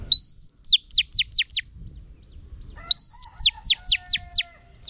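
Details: Female oriental magpie-robin in training, repeating a phrase of one rising whistle followed by five fast downward-sweeping chips, given twice about three seconds apart, with a faint level tone under the second phrase.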